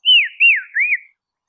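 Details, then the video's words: Dusky robin in Tasmania, Australia, singing a gentle, mellow phrase of three connected arching whistles, each falling in pitch, fading out after about one second. "Dusky Robin Call"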